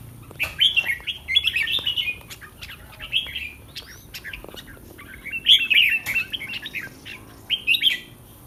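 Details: Red-whiskered bulbul kept in a cage, heard ahead of a singing contest. Lively whistled phrases of rapid rising and falling notes come in two clusters separated by a quieter gap, with scattered clicks between.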